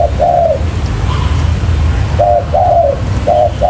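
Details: Decoy spotted dove for trapping wild doves, giving a drawn-out coo, a pause, then further short-and-long coo pairs, soft and low over a continuous hum.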